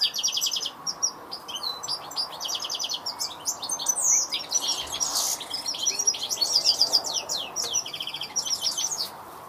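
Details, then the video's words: European goldfinch song: a fast, continuous run of tinkling twitters, buzzy notes and liquid trills, with a steady low background hiss. "Saka Kuşu Ötüşü"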